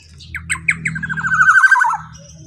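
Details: Loud, forceful black-naped oriole phrase used as a lure: a run of sharp notes quickening into a fast trill that dips at the end, over a low background hum.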